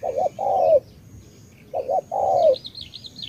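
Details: Cà Mau spotted dove in tú-style cooing. A wavering double coo leads into a long falling coo, repeated after a short silence. Near the end another bird gives a rapid high warbling trill.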